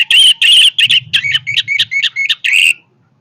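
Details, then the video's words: Powerful song of an orange-headed thrush: a rapid run of loud, varied whistled notes, some rich and buzzy, some sharp and slurred, delivered almost without pause for under three seconds before stopping abruptly. "kicauan Anis merah yang bertenaga"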